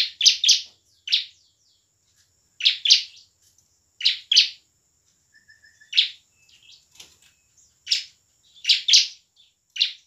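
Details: Gacor bar-winged prinia song in ngebren and nembak style to coax lazy birds to sing; quick doubled and tripled buzzy chips in bursts separated by short pauses, with faint soft twitters.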